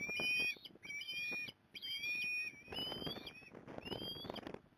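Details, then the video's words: Osprey nest at Port Lincoln, Australia, 15 November 2020, the mother coming in to help; long, high whistled calls drawn out about half a second each, in a repeated series, with some rising slurs and rougher noise between. "Osprey ~ Mum Comes To Help"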